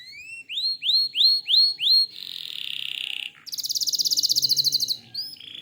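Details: Lively canary song of repeated rising slurred notes, five in a row, followed by a buzzy rolling phrase and a very fast high rattle.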